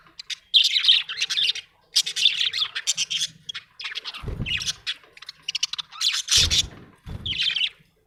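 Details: Happy budgerigar chirping in scratchy, buzzy warbled phrases broken by short pauses, with a few dull low thumps and rustles among the bursts.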